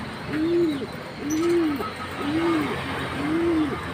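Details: Green pigeon producing four clear, low, rounded hooting notes, evenly spaced about a second apart, against a soft hissing background.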